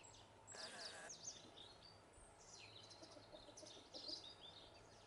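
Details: House sparrows feeding on seeds on the ground in Ibiza in 2020, giving short high chirps in scattered bursts, with a brief rustling burst near the start and steady low background noise.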